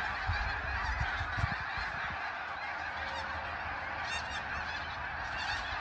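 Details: Snow geese in a vast migrating flock, reported as reaching 100,000 birds, give a relentless chorus of harsh, yapping honks; a few lower thumps sound near the start beneath the overlapping calls.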